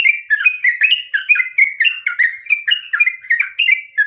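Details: Steady, rapid ngropel song from a sooty-headed bulbul (trucukan): loud, liquid whistles repeated in quick, rhythmic bursts with a rich, fluty, chattering quality.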